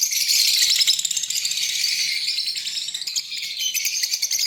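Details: Pair of green Fischer's lovebirds, breeding, in Pakistan: unbroken rattling chatter of quick, sharp high chirps running throughout, slightly softer in the middle.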